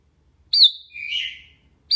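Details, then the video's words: Sooty-headed bulbul gives a bright, clear whistled note that slides down into a slurred, bubbly phrase, then starts again; no other sounds. "Bulbul Singing, Sooty headed Bulbul Sounds Calling"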